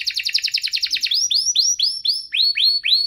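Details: A canary duet meant to get other canaries and young birds singing; a rapid stuttering trill leads into a string of clear upslurred whistles about three per second.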